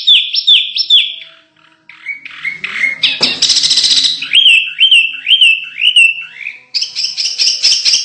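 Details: Canary song for contest training: bouncing whistled notes, a short pause, a harsh noisy burst, then descending slurred whistles and a quick high chirping run.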